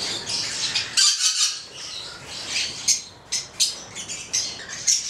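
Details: Captive Stella's lorikeet pair of the goliathina subspecies, red male with black female, uttering harsh high screeches in quick bursts separated by short pauses.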